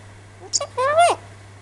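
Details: A pet male Alexandrine parakeet, talking while its owner chats to it, utters a brief, high-pitched, word-like phrase that rises then drops, like a mimicked greeting, over a low steady electrical hum.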